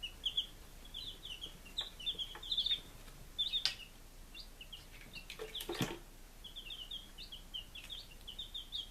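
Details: Chicks five days old in Lunenburg, Massachusetts, 23 July 2017, peeping almost without pause in shrill, slightly falling notes. Sharp clicks and a rustling burst of movement sound midway.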